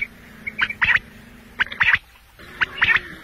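A quail calls three times, about once a second: each phrase is a short clipped note followed by a quick, liquid double note. A faint low hum runs underneath.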